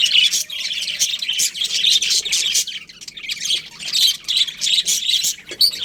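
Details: A budgie colony chirps in pulsing waves of shrill, rapid chatter, short notes tumbling over one another with brief lulls.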